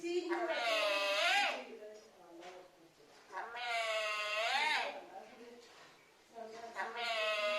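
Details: Parrot talking, calling out the Malayalam word for mother: three drawn-out, rich harmonic calls, each about a second long, rising then falling in pitch, spaced a couple of seconds apart in a quiet room.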